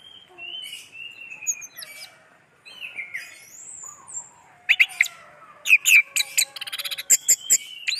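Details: Song of an orange-headed thrush, opening with soft drawn-out whistles, then turning to loud, rapid, sharp chirping notes in quick succession.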